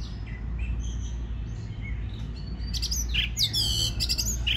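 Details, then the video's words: Song of an Oriental magpie-robin, meant to stir birds into singing: faint thin whistles first, then a loud run of harsh, buzzy chattering notes, backed by a low droning hum. "Choè than hót kích bổi nghe là hót"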